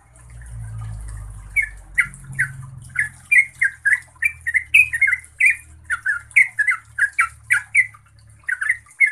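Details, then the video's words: Yellow-vented bulbul (Pycnonotus goiavier) giving a fast run of bubbly, slightly squawky notes, about two or three a second, with a low hum at the start; a track meant to get silent bulbuls to answer and sing. "Trucukan BISU diJAMIN NYAUT GACOR dan NEROPEL"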